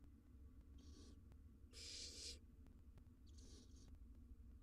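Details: In a nest box, wild barn owl nestlings preen each other while one gives a strong, rasping hiss lasting about half a second, flanked by quieter hissing bursts and low background rumble.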